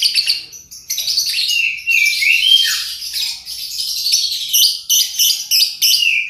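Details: Lovebird chattering used to entice other lovebirds to sing: a continuous, fast stream of high, harsh chirps and squeaky whistles with a few downward-sliding notes.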